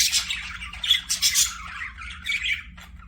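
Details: Budgerigar chirps: a quick flurry of harsh squawks and squeaky warbles that fades to quieter chatter.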